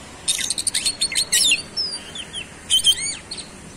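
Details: Oriental magpie-robin in super gacor (nonstop) singing with a fast rolling delivery, unloading its isian repertoire: dense bursts of high, sharp chirps, then slurred whistles and quick trills in rapid succession.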